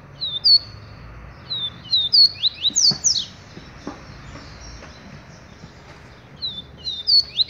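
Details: A double-collared seedeater sings bright, high whistles that drop in pitch, grouped into rapid runs with a steep descending flourish in the middle, then a pause before more notes; a few faint clicks underneath.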